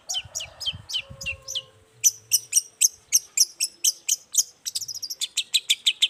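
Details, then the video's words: Morning song of a Long-tailed shrike, played to prompt other shrikes to reply; sharp piercing high notes repeated about twice a second, some doubled and buzzy, over a faint low hum. "Suara cendet gacor Pagi Hari pancingan jitu BIKIN cendet diam langsung nyaut ikutan bunyi"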